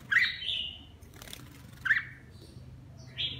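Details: Red-whiskered bulbul with lân crest and partial cheek patch sings during a bath: three bright slurred whistled phrases, a brief fluttering rustle between the first two, over a steady low hum.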